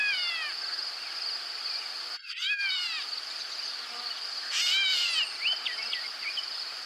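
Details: Gray Catbird gives its classic cat call, the source of its name: three nasal, downslurred cat-like mews a couple of seconds apart over a steady high insect drone.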